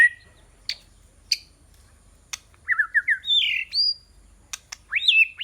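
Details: White-rumped shama, a fighting bird used as a decoy to lure rival birds, giving scattered sharp clicks, then a run of short slurred whistles and rising sweeping notes; quiet background.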